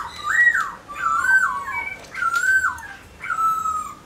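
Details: Caged black-throated laughingthrush singing while dancing; four rich slurred whistled phrases, each rising then falling, about a second apart, recorded in a small room.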